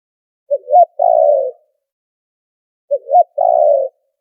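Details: Noise-cleaned spotted dove call for luring birds to a trap: a brief note and an upward-bending note lead into a drawn-out, slightly falling buzzy coo, given twice with a clear pause between phrases.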